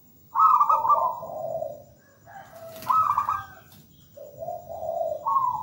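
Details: Melodious song of a local zebra dove caught from the wild: bubbling high coos tumble down into lower trilled notes, repeated in three close phrases, with a brief wing-like rustle midway.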